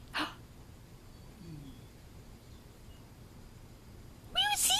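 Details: A male pet Eclectus parrot, which mimics phrases such as "tickle tickle" and "I'm gonna get you", gives a brief, high, nasal burst of imitated speech after a sharp sneeze-like puff and a near-silent pause.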